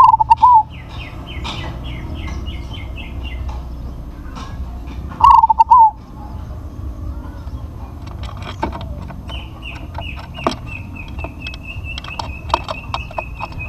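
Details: Big-voiced crossbred zebra dove coos twice, five seconds apart, each a stuttered series of soft notes closing in a longer one. Other small birds chirp in between, and a high descending trill follows near the end, over low rumble.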